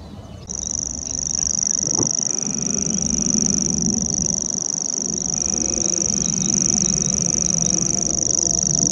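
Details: Common grasshopper warbler reeling from cover among nettles and brambles at Middleton, 21 April 2016: a high, dry, insect-like trill held unbroken for several seconds over low background rumble.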